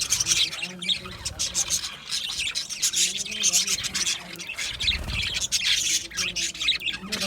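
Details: Budgerigars in an aviary, a dense, continuous chorus of overlapping high chirps, squawks and chattering from many birds, with no pauses.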